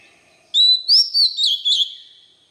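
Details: White-rumped shama singing for young birds to learn from: one quick, rich phrase of about five clear whistled notes, gliding up and down, with short sharp accents between them.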